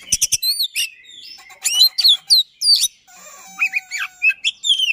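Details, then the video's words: Oriental magpie-robin singing fast and insistently as a lure for a magpie-robin that has stopped singing: sharp clicks, looping whistles and chattering phrases, a short gap, then more high sweet notes. "Speed Rapat Durasi Dapat | Roll Tembak dan Ngotot, Pancingan Kacer Macet Bunyi."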